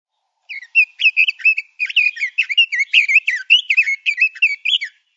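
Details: A male Oriental magpie-robin sings a master song used to train songbirds. It is a lively, continuous stream of varied sweet whistles, trills and slurred notes for about four seconds against a silent background.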